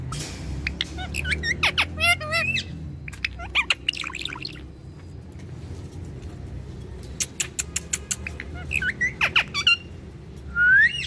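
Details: Pet Indian ringneck parakeet vocalizing with its owner: bursts of sharp clicks, short squawks and chirps in clusters, several rising whistled notes, and a final upward-sweeping whistle, over a low background rumble.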